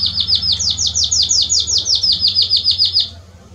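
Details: Belgian canary singing estourado-style to warm up a canary: a fast run of evenly spaced rising chirps, about five per second, held for three seconds before stopping.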